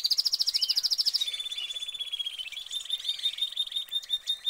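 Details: Canary kept in a cage sings a rapid high rolling trill that shifts into a lower sustained buzzing trill with a few whistles.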